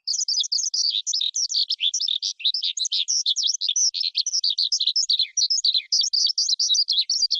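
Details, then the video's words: Forest skylark singing, a recording meant for keepers to stir wild birds, trap, or train young singers; a dense, unbroken stream of rapid high twittering and warbled notes with quick trills and slurs, clean background. "Tiếng Chim Sơn Ca Rừng Hót Hay Nhất"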